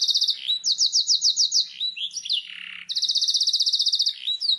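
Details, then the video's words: Canary singing in a master recording meant to get other birds answering: rapid pulsed rolling trills, about eight pulses per second, broken by swooping whistled notes and a short harsher rasp midway. "Suara burung kenari masteran ,langsung nyaut"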